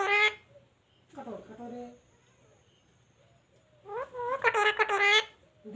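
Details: Pet rose-ringed parakeet talking indoors, said to be saying papa: a short harmonic squawk, a brief pause, then a louder run of rapid, nasal, speech-like syllables.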